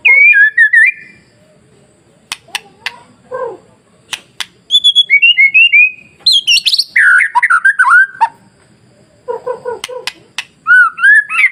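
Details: Masteran song of a white-rumped shama meant to provoke rival shamas into singing; varied loud whistles, rapid rising and falling phrases, sharp clicks and short chattering bursts with brief pauses between phrases.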